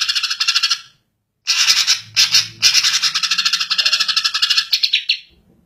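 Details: Greater green leafbird (Chloropsis sonnerati) call: rapid, rattling chatters of bright high notes in dense bursts, pausing briefly, then continuing for several seconds.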